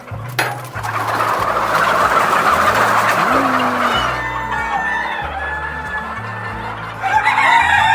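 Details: About 1,000 Fayoumi parent hens, kept for egg production in a shed on a large farm, keep up a dense, continuous chatter of clucks and squawks, with a man talking over it throughout.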